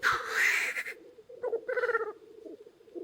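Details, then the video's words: Many black grouse cocks at a lek in early spring, near a hide: a steady, low, dove-like bubbling from several birds, broken at the start by a loud hissing sneeze. "Тетеревиный ток"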